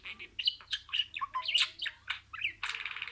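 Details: Budgerigar chattering with a rapid mix of warbled, squeaky and whistled notes, rising and falling chirps, some buzzy, ending in a dense noisy burst of chatter.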